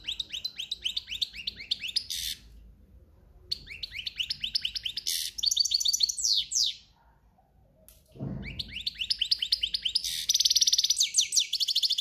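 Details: European goldfinch in breeding season pouring out long cante campero phrases: fast, repeated downslurred tinkling notes and buzzy rattles, broken by a short gap and a brief low thump near the middle.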